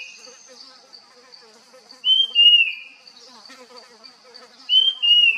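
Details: Puff-throated babbler, a foraging forest bird, giving two loud whistled phrases about three seconds apart, each a bright note gliding gently downward, over a continuous high-pitched insect hum.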